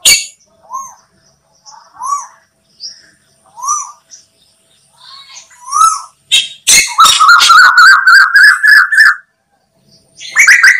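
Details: Lure recording of an Asian koel: soft upward-sweeping notes repeated every second or so, building into a fast, loud burst of rising notes that ends abruptly, with another loud note at the close.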